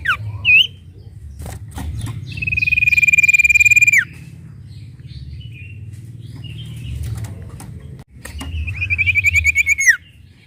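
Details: Sooty-headed bulbul voice meant to rouse other birds into quick singing; a rising-falling whistle, then two long even buzzy trills each ending in a sharp downward slur, separated by scattered soft chirps and clicks.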